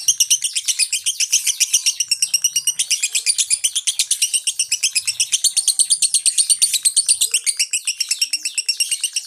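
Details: Lovebird singing in the konslet style with an open-beak delivery; a continuous, rapid, high-pitched buzzy chatter of rasping notes repeated almost three times a second, unbroken throughout, with no other sounds.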